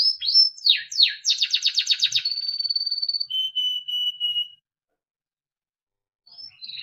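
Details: A Timbrado canary sings a training song: fast rolling trills, then a long high whistle and a few lower whistled notes, pausing briefly before starting again.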